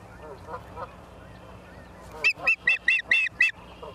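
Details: Osprey at Charlo, Montana, on a live nature camera, 28 September 2023, 17:45; low murmuring calls give way to a burst of six sharp, high, whistled chirps repeated rapidly, ending with a faint note.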